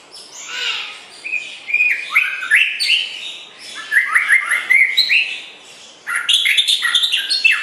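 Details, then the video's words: Songbird training material of a white-rumped shama: nearly continuous, varied song of clear whistled notes, rising slurs and quick chattering runs, coming in rolling phrases that swell and fade every couple of seconds. "Kicau Burung Murai Batu Joss Buat Masteran"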